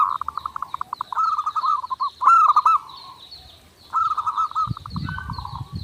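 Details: Zebra dove song from a training master: rapid pulsed coos running into a loud rolling warble, a second long phrase of stuttered notes after a lull, repeated high chirps behind and a low rumble near the end.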